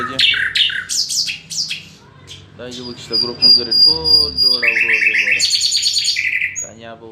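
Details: Common nightingale song: loud sharp chips, then a sustained high whistle over lower rapid pulses, finishing with a bright buzzy trill.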